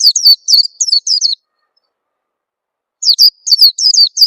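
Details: Oriental white-eye calling as a lure so that newly acquired birds sing sooner; rapid strings of thin, high slurred tweets, broken by a silence of over a second before the twittering resumes.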